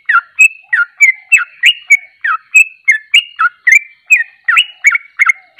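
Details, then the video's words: Trucuk, the Sooty-headed bulbul, chattering out ropelan song. Sweet downward-and-up slurred notes tumble one after another, about three each second, loud and clear against silence. "Ropelan burung trucuk"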